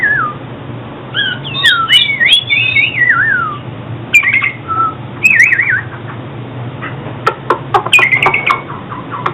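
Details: Oriental magpie-robin song for trapping and song training: varied whistled slurs and rising-falling phrases, then sharp clicks and short chips toward the end, with a low background hum.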